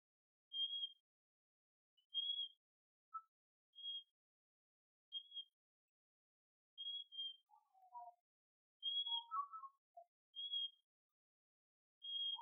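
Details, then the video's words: A wild Yellow-bellied prinia gives a high, thin, clipped whistle about every one and a half seconds. Lower warbled chirps join briefly near the middle. "The Beautiful Wild Birds Are Singing/Yellow-bellied"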